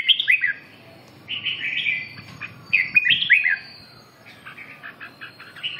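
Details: Red-whiskered bulbul song: quick phrases of rich, liquid whistles rising and falling, given roughly every second and a half, the last ones softer, over a faint low hum.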